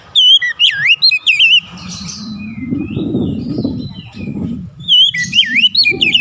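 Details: Oriental magpie-robin gives a quick series of looping whistled notes, then a lull filled with low rumbling background noise and faint chirps, before resuming with wavering whistles.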